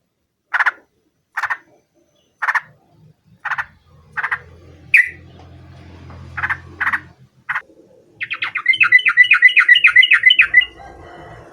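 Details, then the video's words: Yellow-vented bulbul calling a rival: brief, bubbly bursts spaced roughly a second apart, then a fast run of about a dozen rising-and-falling chirpy notes near the end, with a low hum underneath. "KICAU SUARA trucukan gacor MEMANGGIL MUSUH ini AMPUH JADIKAN burung trucuk gacor NYAUT SEKETIKA"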